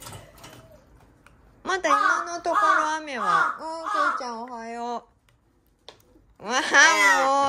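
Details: A young rescued large-billed crow, hand-raised and filmed 13 August 2022, gives a run of hoarse, nasal, wavering calls while eating, several in quick succession, then another after a short pause.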